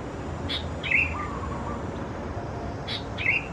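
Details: Sooty-headed Bulbul chicks, Pycnonotus aurigaster thais, recorded in June 2020 at Khao Yoi, Phetchaburi, Thailand: two clear, short, falling chirps over two seconds apart, each preceded by a quick tick.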